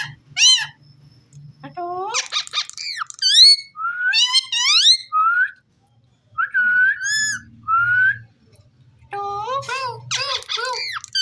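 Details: Talking ringneck parrot: loud phrases of bending, voice-like syllables and level whistles in irregular runs, some dense and rapid, separated by short pauses over a faint hum.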